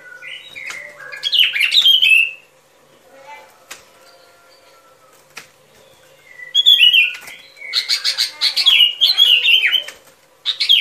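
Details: Lure recording of a sooty-headed bulbul for trapping: a jumbled, bubbly whistled phrase, a quiet gap with faint soft notes, then a long run of rapid, chattering slurred notes.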